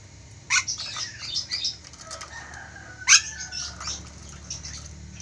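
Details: Ornate lorikeet, an Indonesian endemic parrot, giving loud natural-sounding calls: harsh broadband screeches around half a second and three seconds, with softer chatter and a thin whistled note between them, over low background hum.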